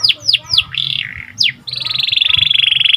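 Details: Singing panda canary, gacor, for stimulating canaries: three falling whistled notes, a warbled buzzy phrase, one sharp sweep, then a long, even, rapid trill.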